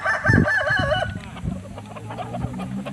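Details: Short crow of a Kukuak Balenggek rooster, an original Solok breed from West Sumatra. A bright undulating phrase lasts about a second, then fades into muffled handling noise and a low background drone.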